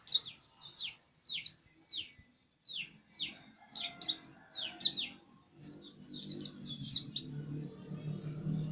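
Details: White-eye singing persistently: a loose series of short, very high, thin chirps and descending slurred notes, often in quick pairs or clusters, separated by brief pauses, over a faint low background hum.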